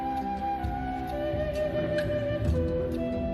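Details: Flute melody over continuous instrumental accompaniment, with no animal voices heard.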